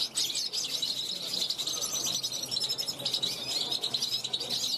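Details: Caged 2021 European goldfinch calling from a balcony to passing wild goldfinches; dense high-pitched twittering and tinkling trills, continuous and bright, light background hiss.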